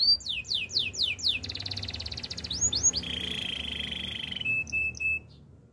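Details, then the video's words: Singing canary, kept for training: a run of six quick rising whistled sweeps, then a dense buzzy rattling trill, more upward slurs, a long steady rolled trill and a few short clipped notes near the end. "Bird sounds canary chirping - The beautiful canary song"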